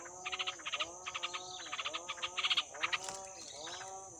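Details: Newly hatched wild yellow-vented bulbul chicks, two days old and starving, make clustered rasping begging pulses in short groups of three to five, over a persistent shrill background hum.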